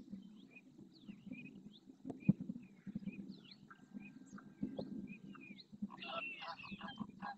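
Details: Several greater flamingos performing their group display dance in the El Rocío marsh, Doñana National Park, Spain, stretching necks, turning heads, flapping wings and splashing; a low, constant flock gabble, scattered short high chirps, then loud, harsh goose-like honks near the end.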